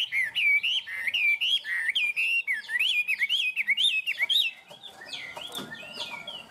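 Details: A tame Chinese hwamei in a cage, praised for its high 'cao cầu' singing, pours out bright, rolling whistled phrases that rise and dip rapidly for several seconds, then fades into quieter scattered notes.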